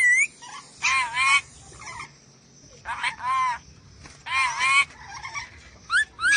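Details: Lorikeet, known locally as nuri dora, from Sulawesi, used as a tutor recording for cage birds: loud, harsh, rasping screeches in short bursts of about half a second, with a few quick rising squeaks between them and a faint low hum underneath.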